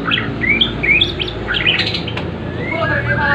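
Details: Bornean white-rumped shama singing an imitation of a prinia: thin whistled slurs and quick upward-sweeping chirps scattered across the phrase, partly buried under heavy steady rumbling background noise.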